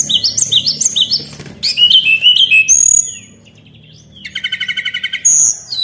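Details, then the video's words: Tledekan, the white-browed shortwing, singing as a lure: rippling repeated high notes, a falling twittered phrase and a long thin whistle, then a steady rattling trill of evenly spaced pulses. "PANCINGAN AMPUH BURUNG TLEDEKAN"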